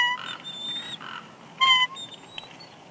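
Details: Wild female bald eagle at a nest at Big Bear Lake, California, on 6 March 2021, whining softly as the male brings a headless fish. Thin, whistled, slightly wavering notes with bright overtones come in short bursts, with one louder note near the end.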